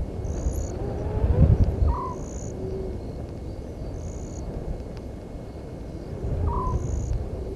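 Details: At a waterhole in Djuma Game Reserve, Sabi Sand Wildtuin, South Africa, a Southern white-faced owl calls after midnight, 17 November 2019; brief clipped hoots recur roughly every four and a half seconds amid low rumble and rhythmic shrill insect chirps.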